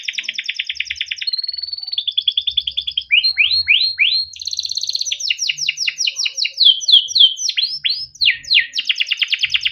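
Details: Male canary kept in Indonesia singing a long 'cuit cuit ngerol' song to prompt young canaries: rapid buzzy trills, a held whistle, rising swept notes, then strings of quick descending chirps and a closing fast trill.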